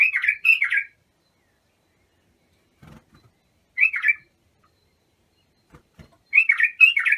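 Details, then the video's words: Bulbul song used to train young bulbuls: short, fluty warbled phrases come in three bursts a few seconds apart, separated by quiet gaps with faint low knocks. "تغريد بلابل ابو شعيب لتخريج البلابل"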